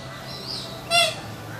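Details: Wild swamphens, two chicks with their parents, nesting in a turtle exhibit at a theme park on the Gold Coast, Queensland, Australia; a single short, harsh squawk stands out against a steady low hum.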